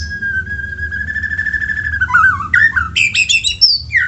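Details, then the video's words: Shama lure song aimed at getting other shamas singing: a long steady whistled note that breaks into quick looping warbles and high twittering phrases. "PANCINGAN MURAI BATU MEDIA RJB untuk burung murai batu AGAR CEPAT GACOR"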